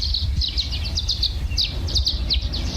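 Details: At Pine Creek trailhead in the mountains of eastern San Diego County, four Violet-green Swallows fly around a dead tree fighting each other, giving rapid, high chittering twitters in bursts; a Black-headed Grosbeak sings in the background.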